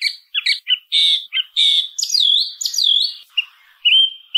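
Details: Song thrush: a jumble of short, rich notes followed by longer, strident whistled phrases that swoop down and up. A pause and two thinner, level whistles close it.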